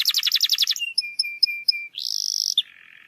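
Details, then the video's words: Canary song to prompt a reluctant canary: a quick rattling trill, several short clear pips repeated about every quarter second, a buzzy high roll, then a lower soft buzz. "PANCINGAN KENARI MALAS BUNYI"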